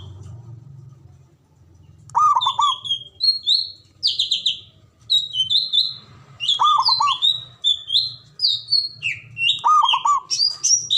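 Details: Zebra dove of local Javanese stock with a loud, full voice, used as a lure and to calm stressed birds. After a low hum, rapid bouncing coo bursts repeat among busy high whistles and chirps.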